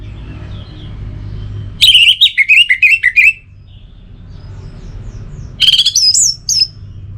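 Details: Orange-headed thrush, a caged songbird, sings loud rich phrases of fluty warbled notes around two to four kilohertz-high pitch, two bursts separated by a pause, with a low background hum.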